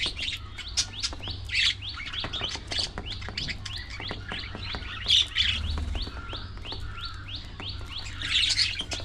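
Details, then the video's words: Budgerigar flock at early morning feeding time, dense rapid chirping and rising tweets from many birds in quick succession, with louder chattering bursts near two, five and eight seconds, over a faint low hum. "Budgies Full Time Activities | Early Morning Feeding Time"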